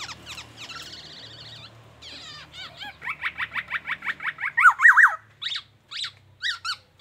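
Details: Black-naped oriole singing a mimicked medley of oriental magpie-robin phrases and an ambulance siren: a quiet wavering trill, then a fast series of sharp, evenly spaced downslurred whistles that swell louder toward the end.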